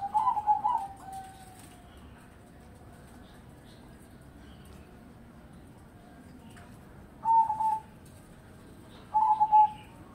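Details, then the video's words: Perkutut crossbreed zebra dove, known for singing morning, noon and evening: a quavering coo phrase opens, then a long quiet pause, then two brief rolling coo bursts near the end. "Perkutut Crossing Gacor"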